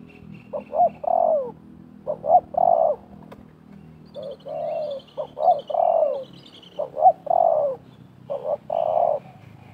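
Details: Wild spotted dove and caged decoy dove calling back and forth at a trapping site in 2024: repeated phrases of hoarse coos, short notes followed by a longer drawn-out coo, a few seconds apart, with thin chirps of small birds.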